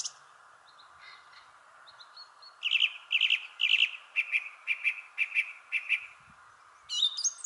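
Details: Thrush singing in a shrubbery tree: soft scattered notes, then a run of about eight short ringing notes repeated roughly twice a second, ending in a high squeaky flourish over a steady low background hum.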